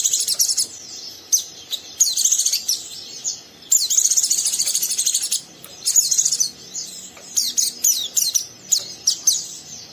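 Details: Lively rough 'ngeriwik' twittering of a young oriental white-eye inciting an untrained white-eye to join; long, dense stretches of high chirps and buzzy trills with short breaks.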